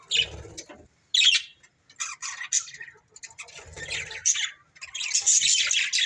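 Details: Budgies from a breeding pair calling in short bursts of scratchy chirps and squawks separated by brief pauses, with a low rumbling noise underneath at times.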